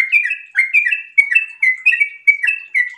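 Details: Breeding-condition sooty-headed bulbul singing a rapid ropel sequence, with clear warbled double notes repeated about every half second over three seconds.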